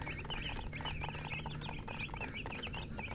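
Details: Baby chicks chirping in a busy chorus: quick, high, bent peeps come several times a second, overlapping one another. A steady low hum sits in the background.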